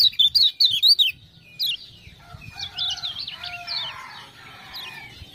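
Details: Kecial kuning, the Lemon-bellied white-eye of Lombok, sings energetically in response to prompting 'ciak-ciak' calls. Bright, rapidly warbled high notes open loudly, then quieter twittering continues with lower sliding whistles in the background.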